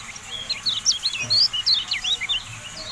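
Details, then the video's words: Javan white-eye singing a brisk, jumbled phrase of high, slurred whistles and sharp chirps, closely packed, over low background noise. "MASTERAN TERBARU KECIAL KUNING, FULL AUDIO"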